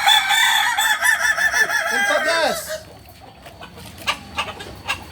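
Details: Kukuak Balenggek rooster crowing at a Sunday training contest in Ampang Kualo: a long, tiered crow of many stacked, wavering harmonic notes lasting nearly three seconds, ending in falling slurs, followed by quieter crowd noise and clicks.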